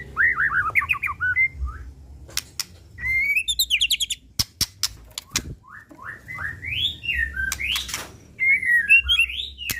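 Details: White-rumped shama of the Pastol type singing a lure song meant to rouse other birds: loud whistled phrases that slide up and down, rapid sharp clicks, and rising trills in bursts with short pauses.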